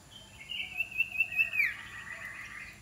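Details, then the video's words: Iora, trained as a decoy bird, produces a rapid pulsed trill that sweeps down sharply at the end into a lingering low buzz. "นกขมิ้นน้อย ฝึกหัดหัยเปนนกต่อสายโหด สายดุ"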